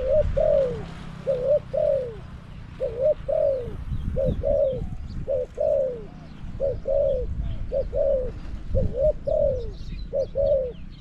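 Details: Caged spotted dove acting as a decoy for wild doves at Song Phi Nong, Thailand, giving clear repeated cooing phrases, a brief note then a longer sliding note, about every second, over faint low hum.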